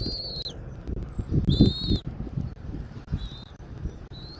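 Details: Bald eagle at the nest on a Southwest Florida eagle cam, 13 January 2024, early afternoon: about five thin, high whistled notes, some slightly rising, short and spaced irregularly, over steady low rumbling wind noise.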